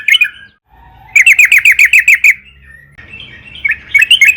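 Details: Trucukan, or yellow-vented bulbul, singing a 'gacor' lure song meant to set other birds singing: one short phrase, then a tight run of nine sharp, down-slurred chirps, and a softer bubbling phrase to close.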